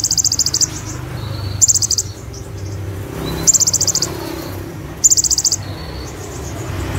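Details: Brown-throated sunbird (konin) singing vigorously in full tembakan bursts, mimicking cililin and ciblek; very high, fast rattling trills of about half a second recur every one to two seconds, with softer thin notes between them.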